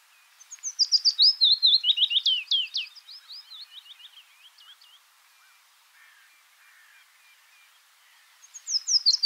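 A willow warbler sings a sweet, liquid phrase that tumbles down the scale over about three seconds and fades out. A second phrase begins after a pause.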